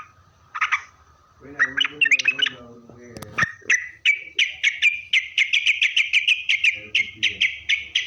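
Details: Sooty-headed bulbul song used as a lure to make other bulbuls answer: a few scattered chirps and a low voice-like passage, then a long run of rapid, evenly repeated bright notes lasting about four seconds.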